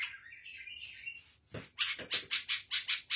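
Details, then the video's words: Black-headed bulbul, called Lebanese or Syrian, opens with a wavering warbled phrase, then a thump, then a steady series of loud, harsh chirps repeated roughly every quarter second. "تغريد البلبل البناني أو السوري (الراس الاسود)"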